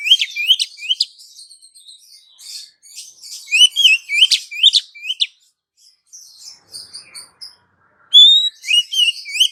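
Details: Female Oriental magpie-robin calling the male, a sound used to lure males: dense bursts of high sweet whistles, upslurred chirps and scratchy notes, broken by short pauses, then resuming with loud clear whistles.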